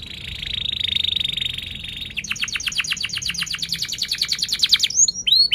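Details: Canary in sharp song: a sustained buzzy trill for two seconds, then a rapid series of clear downward-sweeping notes, closing with a few slurred chirps. Used to lure and teach young canaries to sing.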